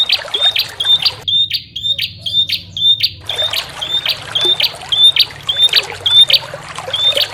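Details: Bar-winged prinia used as a lure, giving a long sequence of high, short, whistled notes with buzzy tails, about two a second, briefly interrupted by a quiet gap; trickling water throughout.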